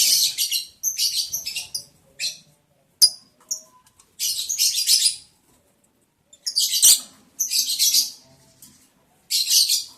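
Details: Lovebirds mating in the breeding season, July 11, 2022, breeding progress day 11: clusters of short shrill, scratchy chirps and screeches in quick runs, separated by brief silences, with a sharp click midway.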